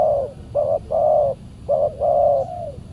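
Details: Spotted dove calling while a decoy is used on a Saturday trapping trip and a fierce wild bird responds; five clear hooting notes in quick groups, short and long coos alternating, with low background noise.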